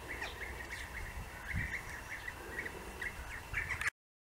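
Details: European bee-eaters in Austria during the breeding season give soft, rolling 'prruip' notes several times a second, overlapping as if from more than one bird, over a low rumble of wind.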